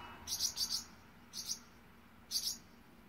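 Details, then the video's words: Swallow mother fiercely protecting five one-day-old chicks: short, high, sharp double chirps given in quick pairs, three bursts over three seconds, against faint background hum. "Swallow mom fiercely protecting one-day old babies 燕妈妈誓死保护刚出生一天的五只燕崽子"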